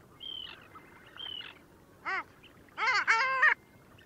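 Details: Long-tailed duck at Liepāja, Latvia, January 2024: two thin high distant calls, then a single nasal arched note and a loud drawn-out two-part yodelling call with strong harmonics.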